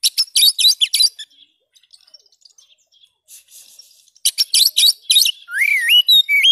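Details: Oriental magpie-robin singing vigorously, presented as a lively song for training other kept birds. Bursts of rapid, bright chattering notes and a quiet pause lead into loud phrases that end in long, smoothly slurred rising and falling whistles.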